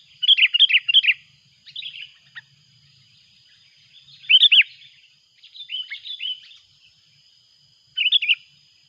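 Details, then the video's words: Sooty-headed bulbul lure bird calling loudly as a rival arrives, with mountain outings mentioned. Quick bubbly phrases of arched, liquid chirps come in five bouts separated by one- to two-second pauses, with a thin steady tone in the background. "Suara buRung kutilang ribut memanggil!!!! lawan pun datang."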